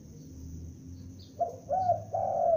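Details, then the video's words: Juvenile spotted dove used as a decoy, calling: over a second of near quiet with faint low background hum, then three soft, descending coos in quick succession, the last one longest. "Tekukur Pikat gacor anakan Berbunyi Memanggil"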